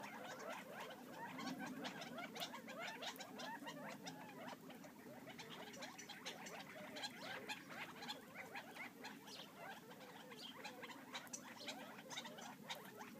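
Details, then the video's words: Wild Gambel's quail foraging outside Florence, Arizona, make a steady, low-volume twitter of many tiny notes, mixed with frequent dry clicks and pecking sounds. "Arizona Gambel Quail #3"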